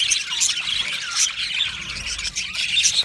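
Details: Australian budgies singing and chirping as a colony in an aviary, giving a short burst of dense, high twittering with a few louder chirps popping out.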